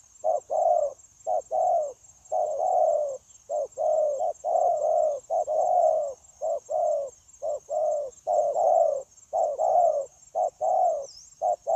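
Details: Wild-caught spotted dove cooing tirelessly in a continuous style, recorded 9 January 2024 for dove trapping and decoy training. Low hollow coos come in quick paired short-then-long phrases, nearly one per second, over a faint steady high-pitched whine.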